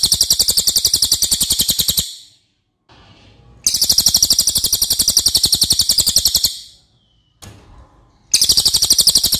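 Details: ['Racket-tailed treepie (cililin) training song for other cage birds: three extended phrases of quick, rattling, harsh pulses, each a few seconds long, with quiet pauses between.']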